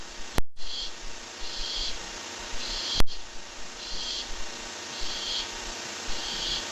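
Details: Strange sounds from a Barn owl nest camera: a steady series of breathy, high hissing bursts, each about half a second, repeated every second or so beneath heavy low rumbling noise and two sharp clicks.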